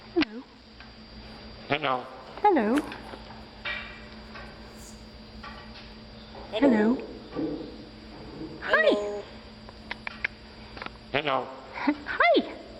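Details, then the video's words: Common raven talking, giving short speech-like calls that bend up and down in pitch, scattered through the clip with quiet gaps; a steady low hum runs underneath, and a man's voice may also be present. "Common Raven Bird Amazing Talking"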